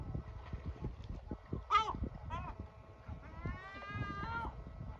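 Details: Yellow-legged gull father calling at running chicks until they retreat into a hiding spot; two short harsh yelps followed by a longer drawn-out wailing screech, over low thumping background noise.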